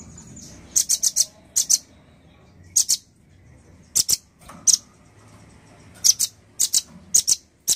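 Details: Male nuthatch giving bright, hard, high-pitched chips, mostly in pairs and triplets, separated by short pauses of one to two seconds.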